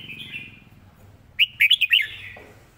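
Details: Model song of a red-whiskered bulbul for teaching birds: a faint warble, a pause, then one crisp phrase of about five quick, clear whistled notes rising and falling, over a low hum.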